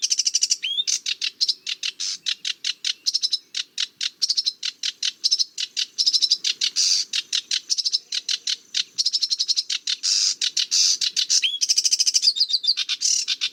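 Sedge warbler singing a fast, unbroken stream of harsh, scratchy chattering notes, with a few clear rising whistles mixed into the jumble.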